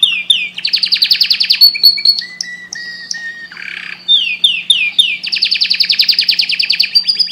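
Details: Breeding-stimulation canary song: swooping chirps lead into rapid high trills, then sustained pure whistles and a short rasping buzz before the trilling resumes, with a quiet mechanical hum below.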